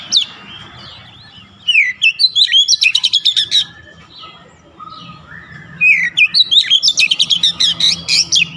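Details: Song of a kacer, or Oriental magpie-robin, used to cure stress and prompt vigorous singing: two loud stretches of fast, piercing chirps and slurred whistles separated by a quiet, low-level pause.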